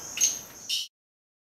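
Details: Plum-headed parakeet recorded at Sattal, Uttarakhand: two brief, sharp, high squeaky notes about half a second apart, the second ending abruptly before silence.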